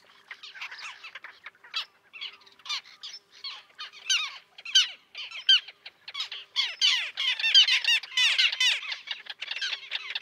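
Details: Small common tern colony with chicks on concrete near a sea mole, Liepāja, Latvia, June 2024; a steady stream of short, clipped scratchy notes grows busier and louder toward the end.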